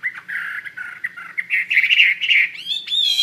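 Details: Chinese hwamei in full song, an energetic stream of warbled, slurred whistles that climbs toward the end and finishes in high ringing notes.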